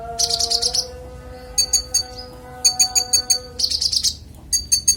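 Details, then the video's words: Clear konin song recorded as master audio for songbirds: dense, fizzy high trills alternating with clusters of crisp spaced clicks over a soft constant hum. "Konin bongkar isian suara jernih"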